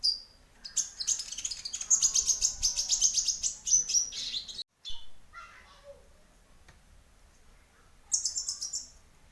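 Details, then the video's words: Sunbird song played to provoke other birds into singing: rapid, high-pitched twittering trills, a brief break, softer scattered notes, then another burst of fast, shrill chirps. "pancingan burung konin/kolibri ninja bahan,langsung bunyi"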